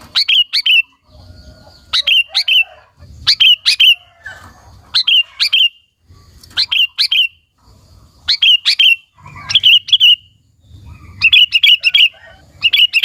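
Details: Sooty-headed bulbul (kutilang) in full song, meant to provoke and lure other bulbuls: short bursts of bright, bubbly whistled notes, several quick phrases per burst, repeated every second or two with faint low thumps between.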